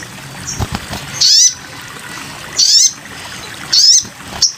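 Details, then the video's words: Master training song of the sogon bird: three high, harsh, rising buzzy notes about 1.3 seconds apart, with a short clipped note at the end and faint low background rumble. "masteran burung sogon"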